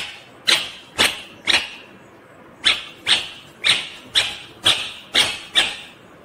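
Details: Indian ringneck parakeet making a string of sharp, harsh, high-pitched squawks: three quick ones, a brief gap, then seven more in fairly even rhythm, about two per second.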